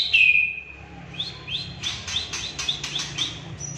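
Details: Aceh white-rumped shama opening with a long clear descending whistle, then a quick series of short repeated upswept chips, over a steady low background hum.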